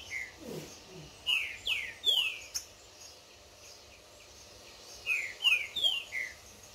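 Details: Green-winged saltator, a tournament competition bird, singing in the woods in a contest with a wild free-living bird during warm-up; two phrases of three to four loud, clear whistled notes, each sliding downward, with a pause between phrases.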